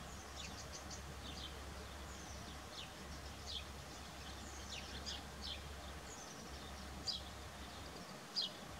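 A Whinchat gives short, high, scratchy chirps and ticks at an uneven pace, set against a steady low hum in the background.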